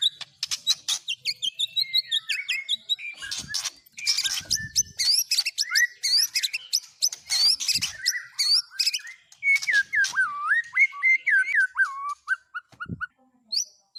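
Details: Long stretch of white-rumped shama song with fill-ins of speed cililin, canary and lovebird: rapid ticking trills, dense scratchy chatter, then a series of wavering whistled notes dropping in pitch.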